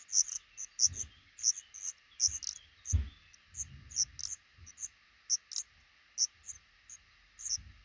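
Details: Black redstarts at a nest under a roof above a front door, where the pair is raising five chicks, give thin, high 'tsip' notes in irregular bursts, over a steady insect-like hiss and a few low knocks.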